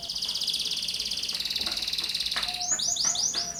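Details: A young canary sings a long high buzzing trill as a lure for training other songbirds. The trill ends in a few loud arching whistled notes over constant background hiss.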